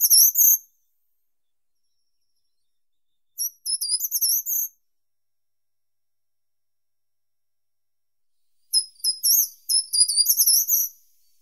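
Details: Short-toed treecreeper repeating its song: three brief high-pitched phrases of tinkling, slightly rising notes, each about a second long, separated by pauses of roughly three to four seconds in a silent background.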